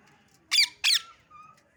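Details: Green parrot uttering two loud, raspy chirps close together, followed by a soft, faint whistled tone; little else is audible.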